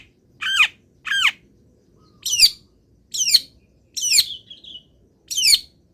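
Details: Long-tailed shrike, kept in a cage, singing in morning sun after misting; separate harsh squawking notes that sweep downward, spaced about a second apart.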